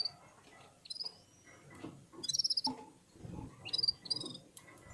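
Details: A red-fronted serin warms up its voice among other birds, giving fast pulsed high trills and thin whistled notes in short clusters, with faint murmuring sounds underneath.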